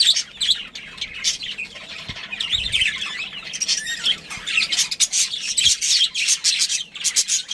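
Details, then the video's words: Budgerigars, a breeding pair with family in a colony, chirping: dense overlapping warbled and scratchy chatter, high and busy, with squawky notes and soft bumps underneath, continuous throughout. "Cute Budgies Chirping Sounds"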